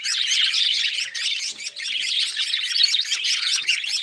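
Budgerigars chatter in a dense, high, unbroken stream of twittering chirps and warbles.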